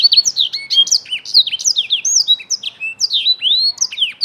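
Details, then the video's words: Young black-throated canary singing, played to prompt other young birds into song: a fast, continuous chattering warble of high whistled notes and sweeping slurs, tightly packed with hardly a pause, clear against a quiet background. "memancing BLACKTHROAT MUDA CEPAT GACOR"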